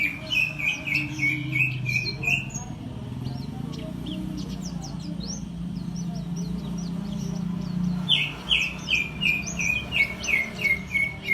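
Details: Oriental white-eye song in two bursts of quick, high, downward-slurred chirps. One burst opens the recording and another comes near the end. Between them are faint high twitters and a rumbling low background noise.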